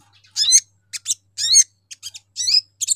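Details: Lure call of a sogon, used to provoke other sogon into responding: short bursts of high, buzzy, twisting chirps about every half second, separated by brief silences, with a faint low electrical hum.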